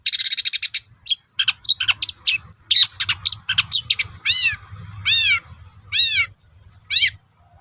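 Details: A long-tailed shrike sings a lively lure song to make rival shrikes reply, opening with a dense buzzy trill, then jumbled chirps and squeaks, ending with four loud, arching, wavering whistled calls spaced about a second apart.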